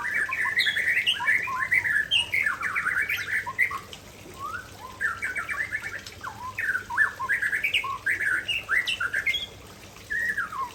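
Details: Aceh white-rumped shama pouring out a long, varied song of rapid chirps, slurred whistles and trills in short bursts, phrases changing constantly with brief gaps, against a faint steady background hiss.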